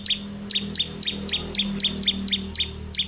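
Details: Bar-winged prinia in gacor song, producing a rapid regular chain of paired high notes, a bright chip dropping to a lower tick, about three per second, over a steady low background drone.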